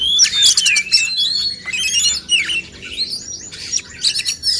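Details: Caged male oriental magpie-robins in a singing contest meant to make them sing more freely and show their full repertoire: rich, varied whistled phrases with quick slurred notes and sharp chirps, overlapping and delivered in fast bursts with brief pauses.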